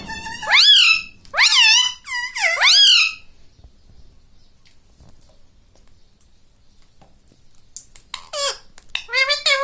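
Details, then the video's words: Talking pet parrot indoors imitating human words, mummy and mitthu mitthu; three squeaky swooping syllables at the start, a long quiet gap, then a quick cluster of higher squeaky words near the end. "Talking Like a Human - Mummy Bolne Wala Tota - Talking Parrot - Mitthu Mitthu"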